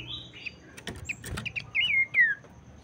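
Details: Abbott's babbler song meant to spur other birds to sing: sharp clicks and knocks first, then a pair of clear downslurred whistles toward the end.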